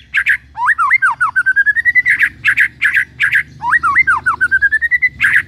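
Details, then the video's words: ['White-rumped shama song meant to set other shamas singing: loud, harsh buzzy bursts repeated in pairs, alternating with a looping whistled phrase that rises into a long ascending chain of short notes, heard twice.'] "Murai Batu Jadi Ikut Gacor"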